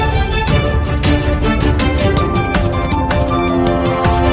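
Loud upbeat instrumental music with a strong beat plays throughout, with no animal sound audible.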